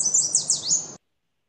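A Yellow Warbler sings a quick, bright burst of high, sweet slurred notes, five or six in about a second, often remembered as 'sweet sweet sweet I'm so sweet.'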